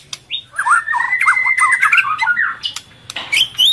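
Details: White-rumped shama female in breeding condition, calling to rouse males and feeding its chick: choppy bursts of short whistled and squeaky notes in a busy phrase, with sharp clicks and higher chirps near the end.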